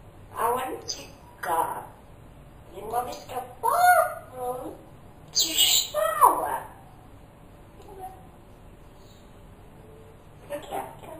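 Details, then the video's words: Pet talking parrot calling for its owner each morning, asking where he is and whether he drank his coffee. A string of speech-like phrases, some hoarse and some with whistled, sliding tones, runs for about seven seconds before trailing off indoors. "BEST TALKING PARROT IN THE WORLD"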